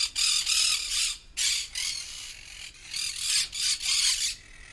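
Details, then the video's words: A parrot, locally called popat or tota, giving harsh broadband squawks in bursts of about half a second, repeated roughly three times a second with short gaps, loud and raspy throughout. "Natural parrot voice"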